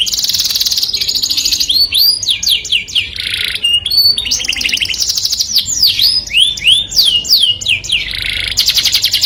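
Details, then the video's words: Melodious canary song said to draw the opposite sex, alternating fast buzzy trills, looping whistled slurs and rolling tours, continuous and loud. "o som melodioso de um canário atrai o sexo oposto junto com o som"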